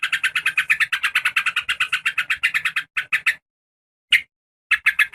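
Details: Trucukan (yellow-vented bulbul) lure call: a rapid, regular string of bright chirps, then silence with a single note and a final short burst.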